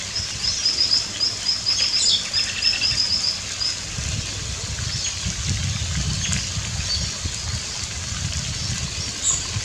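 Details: Plumed whistling duck ducklings in Australia, with a pair of adults bringing them to the water's edge to drink and play, give a quick run of thin, high peeps for about three seconds over a low, steady rumble.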